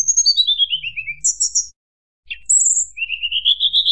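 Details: Tledekan gunung singing in flute-like nyuling style meant to provoke rival birds: a high whistled series stepping steadily downward, a buzzy burst, then a pause and a rising run of clear whistled notes.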